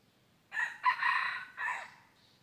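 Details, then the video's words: Red junglefowl crowing on 23 January 2022 during wild junglefowl decoying: one loud, harsh crow of about one and a half seconds in three linked bursts, rising then falling, with a short tail note, over quiet background. "ต่อไก่ป่า Dib qaib qus tuaj zoo heev"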